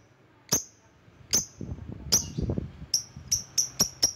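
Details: Lovebird calling to lure rivals: sharp, piercing high chirps, first spaced almost a second apart, then quickening into a tight run of five at the end; faint low rustling in between.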